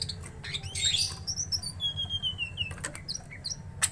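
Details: Greater green leafbird provoked to fight a rival: clear whistled notes sliding downward in short phrases, with sharp clicks and a steady low hum behind.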